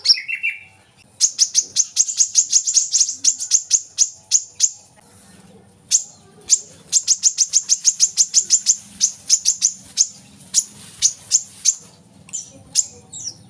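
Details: Brown-throated sunbird (kolibri kelapa) in lure recording for captive birds: a short lower note, then long rapid series of thin, piercing high ticks, pausing briefly and resuming as a dense chattering run.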